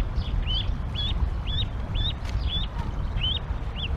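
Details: Canada geese at a nest in Decorah, Iowa, late April 2022, parents calling goslings to jump: thin, high, upslurred peeps repeated about twice a second, with steady low rumbling background noise throughout.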